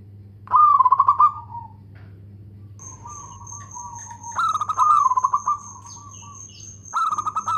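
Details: Local Zebra dove singing loudly with good rhythm: rolling, pulsed coos at a middle pitch in three bursts, each a stuttering run of quick notes, with a steady high electronic whine and low hum behind.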